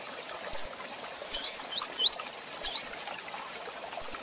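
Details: Rusty-collared seedeater, female chirps for training: a few separate thin high chirps and two quick upslurred whistled notes, spaced irregularly against faint background hiss.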